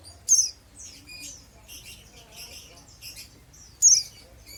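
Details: Oriental white-eye, an untrained bird, in ngeriwik chatter: two piercing high chirps about three and a half seconds apart with buzzy, scratchy high notes filling the gap.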